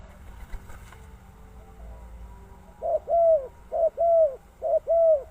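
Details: Spotted dove calling: after about three seconds of quiet background, three paired low cooing notes, each a short coo followed by a longer arched coo, spaced roughly one second apart.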